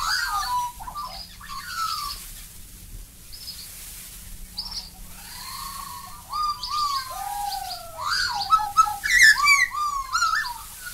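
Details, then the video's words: Black-backed Magpie from Australia, a series of varied, fluty, warbling notes with gliding pitch changes, rising to a richer, more tangled burst of carolling toward the end; a faint steady low hum runs beneath. "Black-backed Magpie"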